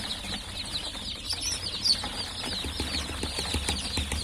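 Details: Newly hatched chicks cheep in a thick chorus of high, thin peeps. A few sharper notes stand out, soft tapping or rustling clicks are scattered through, and a low hum sits underneath.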